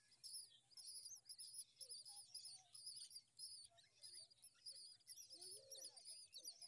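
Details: Myna chicks being fed worms by their mother beg with a dense, continuous chorus of shrill, raspy, high-pitched chirps that overlap almost without pause, plus a few lower squawks.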